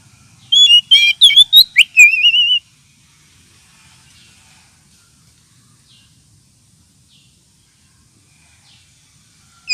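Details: Oriental magpie-robin lure call meant to attract birds and rouse magpie-robins lacking aggression: a two-second flurry of loud, high, warbling and chattering whistles, then near silence, ending with one sudden high note.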